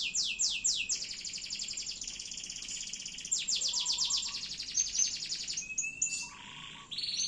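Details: Canary in loper style with extended continuous singing: quick falling sweeps lead into a long, steady, buzzy pulsed trill, then brief thin whistled notes and a short harsh burst.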